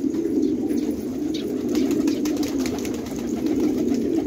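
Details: Afghan fighting tumbler pigeons (jangi) in a village at Khanabad, Afghanistan: a dense, continuous low murmur of overlapping coos from many birds, with a few sharp clicks and taps above.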